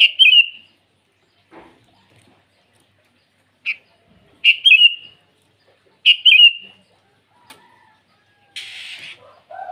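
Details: Sooty-headed bulbul singing in the morning to call rivals: several short, bright whistled phrases spaced irregularly, with brief faint chips in between and a rough hissing burst and lower tonal calls toward the end.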